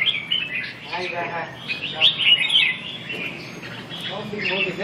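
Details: Red-whiskered bulbul during song practice dated 2/6/2012: sharp chirps and warbled whistles, with a human voice speaking briefly alongside.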